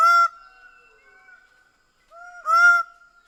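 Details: Greater bird-of-paradise: two loud nasal honking calls about two and a half seconds apart, linked by a thin sustained whistle, with a softer lead-in before the second call.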